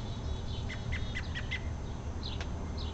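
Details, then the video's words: A robin in a tree gives a quick series of thin, high chirps, a few per second, over a low rumble of wind or distant traffic; recordist suspects a mating call, as a female came over right after. "Robin in a tree makin' a funny noise"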